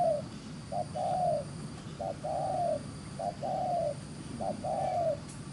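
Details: Spotted dove, a newly caught field bird with handsome neck beads, giving quick 'gù xiết' cooing: paired notes, a brief hoot then a drawn-out downward-curving coo, repeated roughly every second and a quarter against low steady hum.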